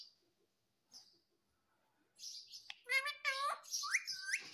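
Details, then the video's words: Pet parrot known for talking "mummy" and "papa": a near-silent start with faint chirps, then a run of rich, harmonic, wavering syllables and rising squeaks packed closely together. "बोलने वाला तोता"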